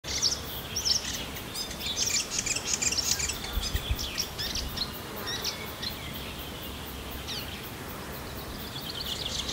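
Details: A New Zealand fantail (piwakawaka) in an ash tree at Kapiti gives its characteristic call, high, thin, squeaky chattering notes in quick irregular bursts, over a low background rumble.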